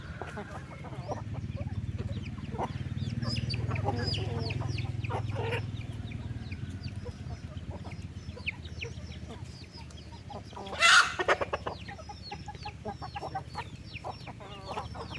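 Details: Chickens on a farm being fed in the afternoon, 15 August: continuous flock chatter of clucks and peeps over a low rumble, with a sudden loud noise burst near the end.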